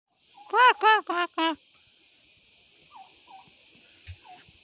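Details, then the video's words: Village turkey hen in Nepal calling kor kor kor: four strong, evenly spaced arched notes, then a quiet stretch with a few faint higher chirps and a soft knock. "Turkey 🦃 Hen Sounding Kor Kor Kor"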